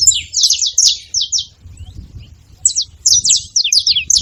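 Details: Several saffron finches calling at once: a quick cluster of high, buzzy downslurred chips, a second-long lull, then another rapid cluster of sharp notes.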